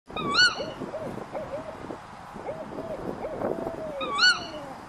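A Eurasian eagle-owl gives two brief, high, ringing squeals that rise then drop sharply, about four seconds apart, over a low, wavering murmur.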